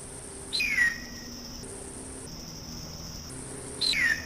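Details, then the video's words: Hawk gives two hoarse, high screams about three seconds apart, each slurring downward, over a steady insect-like buzz and faint hum. "hawk call"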